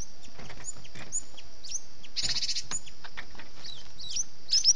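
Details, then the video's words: Cinereous tit (gelatik batu) lure sound meant to attract and trap birds, named 'kejepit'. Scattered thin, high chirps, a short buzzy rattling burst midway, and quick sweeping notes at the end, all over a steady background hiss. "SUARA BURUNG GELATIK BATU PALING AMPUH || suara gelatik batu kejepit."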